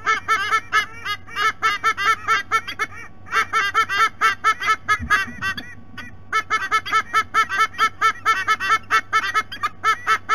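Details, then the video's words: At their nest in Sydney Olympic Park, Australia, adult white-bellied sea eagles give long runs of loud honking notes, pausing around three and five to six seconds before resuming, with a steady low hum and a soft thump midway. "WBSE - Adults vocalizing"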